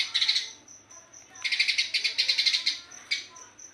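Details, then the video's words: Eurasian tree sparrow, fast dense 'gacor' song: a short chirp run, then spaced thin high peeps, then a long stream of bright rapid chirps, and more thin peeps at the end. "Burung Gereja Gacor speed rapat"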